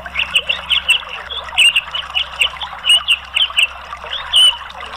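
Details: An orange-headed thrush, likely a cage bird, gives a rapid, unbroken stream of squeaky chattering notes punctuated by sharp, high ticks, over a faint low hum; played as a therapy and lure sound for reluctant singers.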